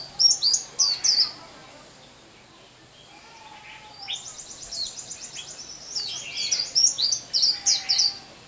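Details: Newly caught wild white-eye singing in the 'liễu xù đầu' style, its song still broken and the bird not yet fully strong: high thin twittering bursts separated by a pause, then a run of fast repeated high notes, with background noise.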